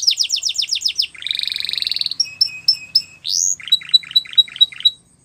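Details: Canary song for training: quick downslurred notes, a buzzy rolled trill, clipped paired chirps, a rising swept note, then a series of sharp whistled chips; faint low background rumble.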